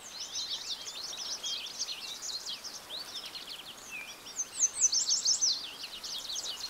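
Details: American goldfinch song: continuous high twittering of quick chips and slurred notes, with a brief louder burst of sharp, clipped notes about two-thirds through, set against faint ambient noise.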